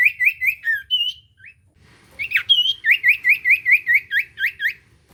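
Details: Common iora song played to coax a silent iora to sing: quick rolling whistles, a brief gap, then a fast regular train of sharp, looping whistled notes, roughly two or three each second.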